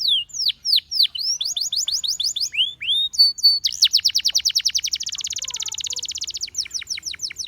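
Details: A powerful, varied Gloster canary song: quick clipped notes and rising whistles, then a long, very fast, rattling trill of near-identical notes, closing with sharp descending chips.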